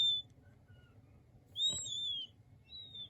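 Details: Calls of king quail chicks, described as soothing: a few thin high whistles, one longer peep with a brief tap beneath it, then softer faint peeps over a low background hum.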